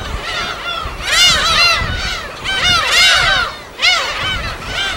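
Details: Uninhabited Yellow Sea island gull colony in Korea, field recording; loud pulses of many gulls crying together, arched nasal notes swelling in waves, with low sea noise.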